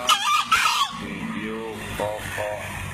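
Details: Two-year-old green junglefowl from Lombok, entered in a 2016 crowing contest, gives a harsh two-part crow, a short burst then a longer strained second note, followed by a man speaking.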